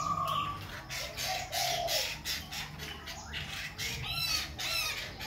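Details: A Khe Sanh laughingthrush sings and displays, changing voice continuously in a rich, shifting medley of clear whistles, slurred notes and harsh, scratchy phrases, over a low steady hum.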